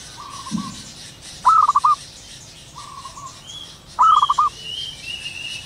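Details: Wild zebra dove in the morning: two loud stuttering, bubbling coos about two and a half seconds apart, each preceded by a softer level coo, with thin high whistles of other birds behind.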